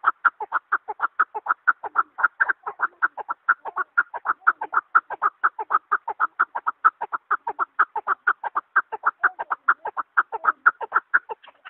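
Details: A long, even run of short chukar partridge chuck notes, roughly two each second, sharp and clipped, sounding somewhat quieter and cleaner than a close bird.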